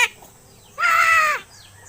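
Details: Seven-month-old pet myna, said to be learning speech, utters a single drawn-out nasal, harsh call lasting about half a second in an otherwise quiet moment.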